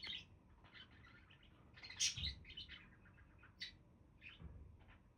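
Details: Budgies chirp softly in a loose, scratchy warble, peaking in one brief louder cluster of squeaks, with a few low thumps and a low background rumble.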